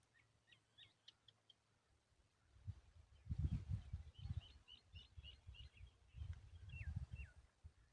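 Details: Hungry woodshrike chick begging with its parent nearby: thin, high chirps repeated in quick runs, some rising and some falling, over heavy low rumbling handling noise.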